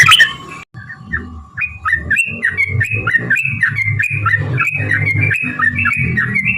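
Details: Trucukan song used as a lure so other yellow-vented bulbuls sing back. A harsh note at the start, then a long chain of rising and falling bubbly phrases, over a low rumbling background.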